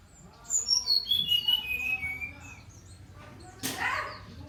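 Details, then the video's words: Brown-chested jungle flycatcher in full song: a run of clear whistled notes falling steadily in pitch over about two seconds, followed by a fainter warble and a sharp noisy burst near the end. "Sikatan rimba dada coklat SRDC gacor"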